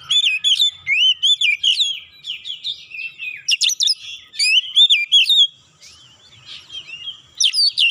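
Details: Excited oriental magpie-robin (kacer) stubbornly running through its repertoire, used to spur other birds into song; almost continuous loud looping whistles and buzzy chips in quick succession, broken by one brief pause near the end.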